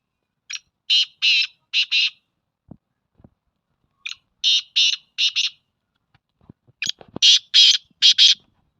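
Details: Black francolin calling: three harsh, grating phrases roughly three seconds apart, each a short lead note followed by four rasping buzzy notes in a quick, jerky rhythm, with faint low clicks between phrases.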